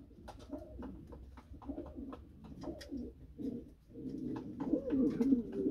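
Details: A pair of Norwich Pouter pigeons in moulting season coo in low, throaty pulses, several rolling coos every few seconds, with a soft indoor hum beneath.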